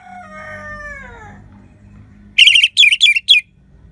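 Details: Orange-headed thrush song in a clear 'crystal' voice, used to coax silent birds into singing: four loud bright whistled phrases close together near the end, preceded by a softer, lower descending whistled sound and faint background hum.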